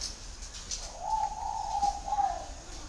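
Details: Cooing spotted dove from Vietnam, one smooth low phrase lasting over a second with a brief break before a closing note, rather loud against light background hiss and a faint high-pitched whine.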